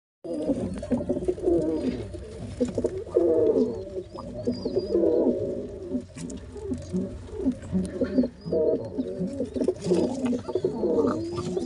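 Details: Two pigeon squabs begging as their father feeds both at once: a steady, low, throaty grumbling and rustling, with faint thin squeaks rising above it.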